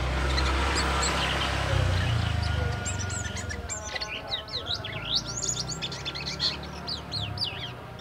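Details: Caged black-winged myna from a bird market's bulk cage, still in the early twittering stage: after about three seconds of noisy background, a burst of varied whistled sweeps, slurred up and down, rapidly repeated.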